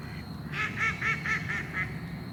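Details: Ducks giving a rapid burst of six loud, rasping quacks, each lasting a fraction of a second, over a quiet low background rumble.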